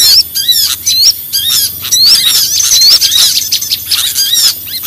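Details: Busy chatter of small birds used as a lure: many sharp high chirps and short upward-swept whistles crowd together, repeated rapidly throughout with barely any gap.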